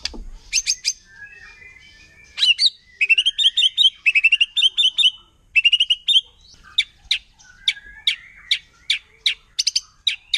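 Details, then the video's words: Wild white-rumped shama in forest, singing to provoke rival shamas: clusters of rapid chipping phrases, followed by a steady run of sharp separate chip notes repeated roughly twice a second. "Murai Batu Hutan Kalau udah Nembak Bikin Emosi Burung Murai Lain"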